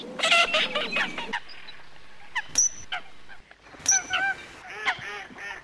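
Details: Coots calling: a burst of loud nasal, honking calls with stacked tones, then short gaps and a few sharp high clicks. More honking calls follow, set against a quiet outdoor background.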